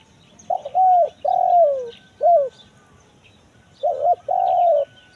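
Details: Spotted dove (tekukur) lure recording for drawing in wild birds in the forest, "kuk 1 mersik" call style; low mellow coos in a short phrase: a brief note, a long sliding coo, a short note, then a quick double note and a final drawn-out coo.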